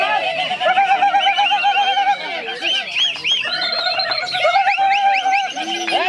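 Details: Greater green leafbird, said to stay strong through eight sessions a week, in full song: an unbroken stream of varied whistles, wavering trills and looping slurred notes, layered and busy, with a few abrupt chipped notes near the end.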